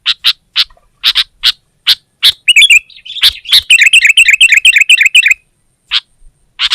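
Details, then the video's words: Vigorous sooty-headed bulbul song directed at a rival. Crisp single chips are followed by a long, fast run of rolling bubbly warbles lasting about three seconds, then more scattered chips. "Suara Burung Kutilang Gacor Menekan Lawan Terbaik || Burung Kutilang Lain Emosi Dan Ikut Gacor"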